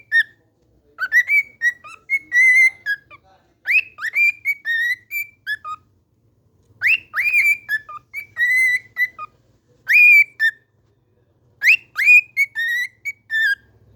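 A cockatiel whistles the same short tune again and again, each phrase rising then falling in clear notes.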